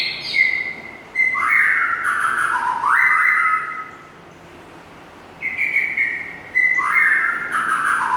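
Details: Oriental magpie-robin whistling loud, clear phrases of sliding notes, each dropping in pitch, in two bursts separated by a short quiet gap, with faint background hiss.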